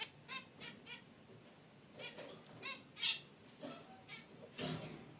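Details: Nasal honks and chirps from caged zebra finches relaxing near their wicker basket nest come in quick uneven series, with a sharp rustle of movement toward the end.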